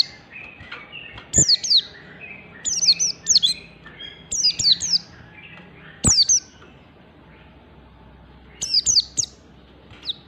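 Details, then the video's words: Oriental white-eye singing in the 'ngalas standar' style, used to provoke other white-eyes into singing: short bursts of thin, very high, downslurred chirps repeated every second or two, with a faint hiss and a sharp click. "Pleci Ngalas Standar Memancing Pleci Bunyi"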